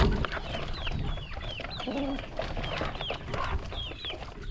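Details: A flock of hungry chickens at their first feeding on a calm countryside morning: high, thin, falling chirps come every half second or so over a low, steady rumble of background noise.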